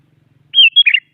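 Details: Sooty-headed bulbul singing actively to provoke rival bulbuls into singing: after a quiet start, one short burst of bright, bubbly whistled notes, a clear high note, then a quick tumbling flourish.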